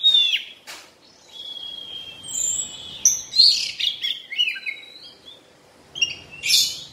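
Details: Oriental magpie-robin (kacer) in its molting stage. A drawn-out level whistle leads into busy clusters of sharp chirps and trilled notes, ending with brief scratchy high bursts over light background noise.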